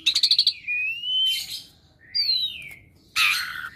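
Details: Caged Asian pied starling that copies other birds' voices, singing rapid clicking notes, then a drawn-out rising whistle, harsh noisy bursts and a falling slurred whistle, with a faint low hum behind.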